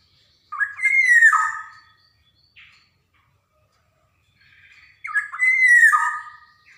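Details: Energetic Javan black-naped oriole used to stimulate untrained birds to sing: two rich, slurred whistled phrases, each ending in a falling note, about four and a half seconds apart, with a soft note between.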